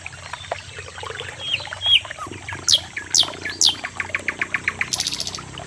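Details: Sikatan Londo, the common nightingale: soft slurred whistles, then three sharp high falling sweeps in quick succession, a series of accelerating ticking notes, and a closing buzzy rattling trill.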